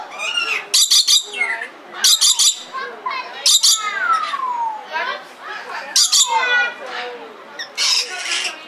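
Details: Red lory (Eos rubra) filmed in Belgrade Zoo, Serbia, in 2022: loud harsh broadband screeches in short bursts at irregular intervals, mixed with softer descending whistled notes and a background hum of chatter.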